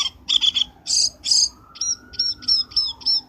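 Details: Short burst of black-winged starling lure calls for trapping: harsh chattering bursts followed by a row of six crisp, rising chirps at about half-second intervals, with a faint rising mechanical tone behind.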